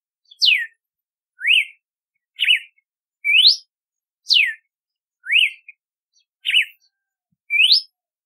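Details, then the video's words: Red-cowled cardinal singing a steady run of loud whistled phrases roughly one per second, mixing steep downward slurs, rising sweeps and zigzag notes in a repeating sequence against silence. "Canto do Cardeal do Nordeste / Galo de Campina / Campina | Red-cowled Cardinal | Paroaria Dominicana"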